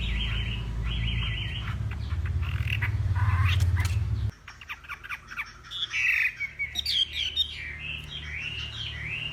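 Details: Northwest Vietnam Hwamei singing in a contest during morning voice training: slurred whistled phrases repeated rapidly, at first over a heavy low rumble that cuts out midway, then clearer varied rising and falling notes.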